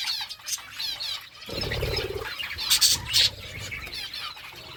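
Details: Budgerigars chirping while eating food: warbling, wavering high chirps in a steady chatter, with a brief low rumbling thud near the middle and two louder sharp notes after it.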